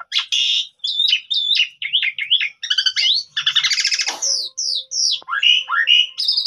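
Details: Black-collared starling song used to coax birds into singing: a fast, jumbled stream of chattering notes, wavering whistles and a buzzy rattle, ending with several clear downward and upward whistled slurs.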